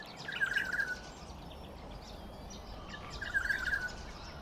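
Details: Olive-backed oriole (Oriolus sagittatus) at Sandy Camp Rd Wetlands, Wynnum West, southeast Queensland, Australia, calling: two short bursts of rolling, mellow notes about three seconds apart, heard faintly over steady background noise.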